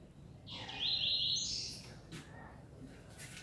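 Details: Caged double-collared seedeaters in a singing contest, 4 June 2019: one gives a fast, buzzy, high-pitched trilled phrase of about a second, then a few faint chips over soft background noise.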